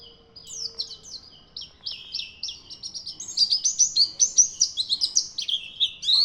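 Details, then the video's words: White-eye singing energetically, a fast run of high, sweeping chirped notes at about two or three per second that builds to a loud, dense warble before a brief pause. "pleci non doping gacor"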